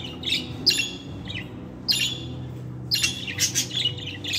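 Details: Singing budgie with a cheerful chattering warble of sharp, high chirps in uneven clusters and a brief busy flurry near the end. A soft low hum of an indoor room runs beneath.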